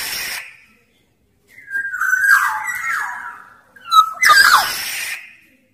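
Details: Big-bodied black-naped oriole of Sumbawa singing as a calling lure for sluggish orioles. A rough note at the start, a silence, then a buzzy whistled phrase, a short clear whistle and a harsh noisy flourish.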